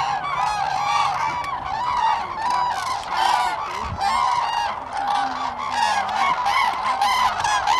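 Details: Common cranes at Lake Hornborga, Sweden, in April 2017. A dense chorus of overlapping trumpeting calls from many birds, loud and continuous, with rolling harsh notes layered over one another.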